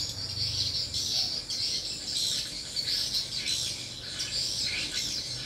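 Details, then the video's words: Swiftlet lure sound at a mini swiftlet house, drawing a strong response: dense, overlapping high-pitched twittering chirps run steadily for the whole stretch, with faint low hum beneath. "rbw mini walet respon joss"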